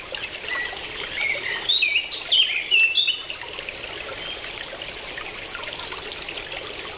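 Purple honeycreeper giving a quick run of thin, high chips and twitters over about three seconds, against a steady hiss like trickling water.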